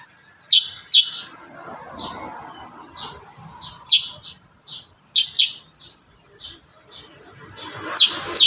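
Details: Kurincang singing for training other birds: crisp, high chirps given singly and in quick doublets at uneven intervals throughout, over a quiet background.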